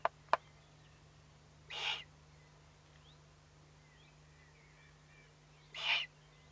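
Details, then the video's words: Owlets threatened and giving warning calls, recorded 22 May 2015 at 20:42: two loud, breathy, rasping hisses about four seconds apart, preceded by two sharp clicks, over a steady low hum. "Owlets threatened and warning"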